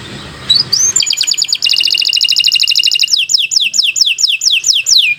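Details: Energetic canary singing to train young or silent canaries: a rising whistle leads into a fast buzzy trill, followed by a string of high downslurred whistles repeated about three times per second.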